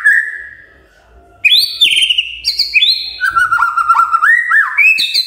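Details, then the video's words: A magpie-robin (murai batu) sings in the morning, a rich run of clear, whistled mid-to-high phrases that jump and slide between notes after a faint opening whistle, used to prompt other magpie-robins to sing. "Pancingan PAGI PAGI AGAR MURAI GACOR❗ murai diam pasti ikut NYAUT"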